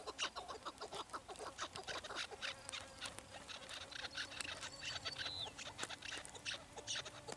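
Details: Chukar partridges calling in a dense, overlapping chorus of short, harsh clucking notes repeated rapidly. A steady low hum runs underneath.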